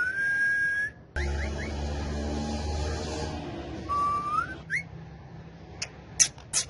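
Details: Pet male ringneck parakeet, a friendly talking bird, holds a long steady whistle, adds three quick upward chirps, then a lower rising whistle and a few sharp clicks, with a humming background.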